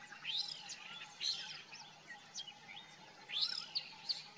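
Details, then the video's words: Varied song of a common myna, with rising and falling whistled notes, buzzy slurs and sharp chirps in uneven bursts against a constant hiss. "The common myna Song / Indian myna Singing"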